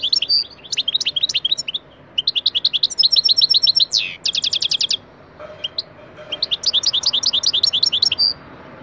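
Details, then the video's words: Real recorded goldfinch song for a singing lesson: long runs of fast tinkling twitters and rapid trills, a falling slur, a short pause, then more bright twittering. "Saka Sesi -👉 Efsane Saka Ötüm Dersi - 💗Taneli Çipet Bol Cibili - Real recorded Goldfinch Song"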